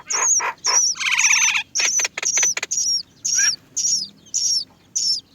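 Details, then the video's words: Great myna baby birds awaiting food from their mother; loud, grating, rasping bursts mix with high, sharply falling squeaks, repeated in quick succession about twice per second. "Many Great myna baby birds are waiting to be fed by their mother"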